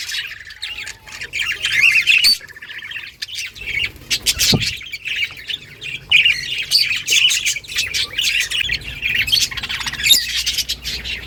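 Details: Breeding colony of budgerigars kept in a cage, a restless chorus of squeaky chirps, harsh squawks and clicking notes from many birds, with a single thud midway.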